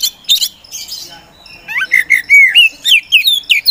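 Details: Kacer poci (Oriental magpie-robin), a contest songbird, singing in full 'gacor' style: scratchy buzzy opening notes, then a fast run of clear whistled slurs that swoop up and down.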